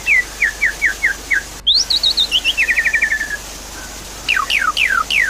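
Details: Javan pied starling lure song for a bird gone quiet: falling whistles spaced about every half second, a quick series of chirps and a stuttering run of short notes, then loud steep downward-sweeping whistles.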